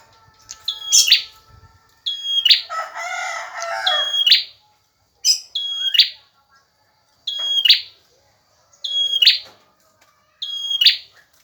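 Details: Male bar-winged prinia singing actively: high, even whistles that snap into harsh buzzy bursts, six phrases about every one and a half seconds, with a broad noisy rustle early on.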